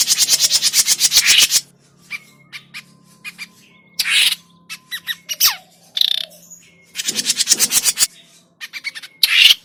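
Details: Noisy grey-cheeked bulbul call used as a trapping lure: loud rasping chatter bursts that repeat between sharp clicks, thin steady whistles and short squeaks.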